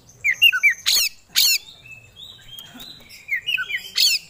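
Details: Oriental magpie-robin in busy song with its repertoire: quick whistled notes, two loud harsh rasps, thin sustained whistles, then more rapid whistles ending in another harsh note.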